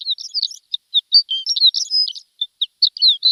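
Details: Training recording of a Javan bush lark, played to caged birds: a dense, lively run of high chirps, rising and falling slurs, and brief squeaky notes with short gaps.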